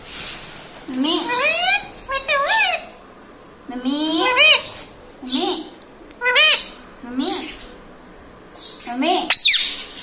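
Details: Pet green ringneck parrot indoors repeating speech-like words; a series of harmonic, rising-and-falling voiced phrases in short bursts spread across about ten seconds, with quiet gaps between them.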